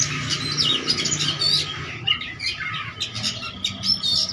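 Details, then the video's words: Oriental magpie-robin singing hard with a full repertoire to challenge rivals: dense, scratchy mix of chirps, squeaks and brief whistles over a noisy background with a low rumble and a steady hum. "KACER GACOR CARI LAWAN!!!! KACER GACOR FULL ISIAN BIKIN KACER LAIN IKUTAN BUNYI"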